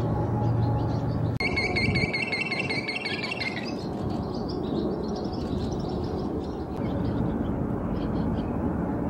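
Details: A Western grebe (Aechmophorus occidentalis) gives one shrill, reedy, harmonic courtship call about two seconds long while choosing a mate, at early-morning sunrise, over a steady low rumble of wind or engine noise.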